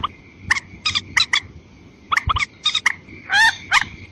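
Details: Clipped, harsh croaks of a white-breasted waterhen used to lure females and males, in scattered small groups, ending in a longer wavering squawk, with a thin steady whine throughout.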